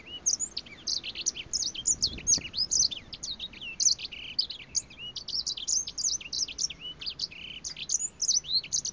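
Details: Breeding grey finch singing close up, recorded 2 August 2016: a continuous rapid stream of high, sharp chirps and short slurred whistles, tightly packed with scarcely any pause.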